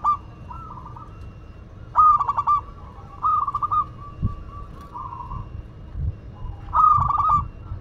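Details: Zebra dove of local Madura stock giving bursts of quick pulsed cooing trills spaced a second or so apart, softer held coos in between, and other doves cooing faintly in the background.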